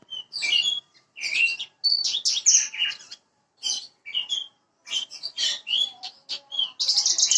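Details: Bushlark, parva type, singing in a lure recording meant to make a bird start singing quickly: dense, jumbled high chatter mixing sweet whistles, scratchy notes and trills in uneven bursts, ending in a buzzy rattle.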